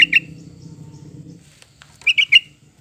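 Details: Yellow-vented bulbul played to encourage pet birds to sing: a two-note chirp at the start, a low hum, then a lively three-note bubbly phrase near the end.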